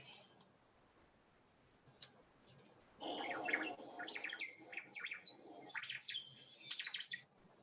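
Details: An ʻŌmaʻo, the native fruit-eating Hawaiian thrush, sings a jumbled, fast run of liquid warbled and chirping notes, some sweeping up and down, lasting about five seconds after a quiet start.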